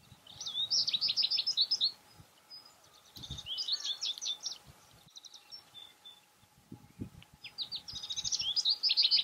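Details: Singing American goldfinches in breeding plumage; the male has a black cap. Three bursts of high, rapid twittering and chattering are separated by quieter gaps with scattered faint chips, and soft low thuds are heard beneath.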